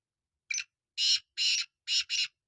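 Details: Black francolin calling: five harsh, grating, broadband bursts in quick sequence. A short first note is followed by longer rasping notes, and the last two come close together. The background is otherwise silent.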